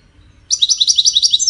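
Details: Fast, evenly spaced high twitters from a European goldfinch start after a brief quiet moment and continue as a rapid, chattering string of about eight sharp, liquid notes.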